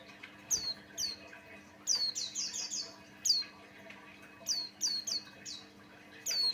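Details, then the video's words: Buxtoni white-eye, a lure recording to prompt other white-eyes to sing: high, falling twittered notes, single and in rapid runs of three or four, with a steady faint low hum. "Suara Burung pleci Buxtoni pancingan Ampuh"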